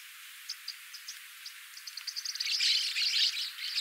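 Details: Black-cheeked lovebird: a few faint, very high, short chirps at uneven spacing, then after two and a half seconds a dense burst of shrill, overlapping chattering notes that grows louder to the end.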